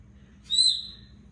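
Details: African grey parrot that talks and calls its own name gives one short, high, pure whistled note, held briefly and then fading, with faint room hum behind.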